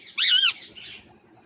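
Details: A parrot in India gives one loud, harsh squawk, arched and rich in overtones, lasting about a third of a second and then trailing into a softer raspy note over a low background hum.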